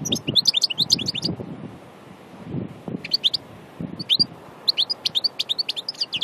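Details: European goldfinch from Annaba, Aïn Barbar, Algeria, a pure natural songster: rapid tinkling, twittering phrases of high slurred notes, a pause near two seconds, then renewed bursts of liquid chirps over low background rumble.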